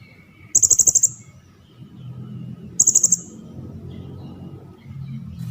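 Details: Cililin used as masteran audio for training competition songbirds: two brief, very high, fast trills of about six beads each, two seconds apart, over a quiet low background hum.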